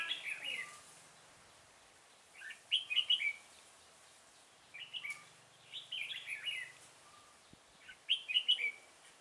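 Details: Red-whiskered bulbul recorded during trapping with a decoy bird at Chùa Hương, Vietnam, on 5 March 2018. It gives short, bright, warbling phrases about every two to three seconds. A faint low hum sits under the quiet background.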